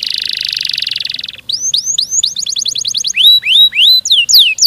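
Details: Canary delivering a fast, tightly packed song: a long buzzy rolling trill, then upslurred whistles, a quick burst of rapid notes and loud sweeping downslurs.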